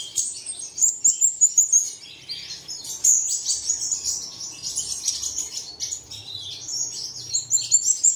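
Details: A lure recording meant to set caged birds singing at dawn: bursts of very high, fast trilled twitters and chattering phrases, loud pulsed notes clustered near the start and end, with steady busy chirping between.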